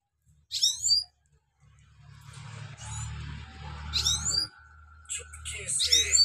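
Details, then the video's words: Trained European goldfinch song, used to train a young wild goldfinch; bursts of high, thin twittering near the start, around four seconds and again near the end, over a low murmur. "Trained Gold Finch Sounds For New Gold Finch Rolling / صدای سهره برای مستی سهره وحشی"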